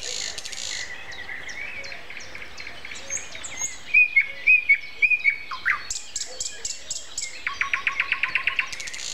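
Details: Common nightingale's morning song, recorded April 29 at 7:55 on a Sunday, with other birds calling: a mixed, scratchy opening, a few loud clear repeated whistles, then a rapid regular trill of repeated notes.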